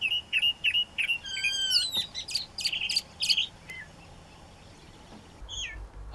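Chalk-browed Mockingbird mimicking a swallow: quick bright chirps about three per second, then slurred, twittering and rattly phrases, ending in a few scattered high notes.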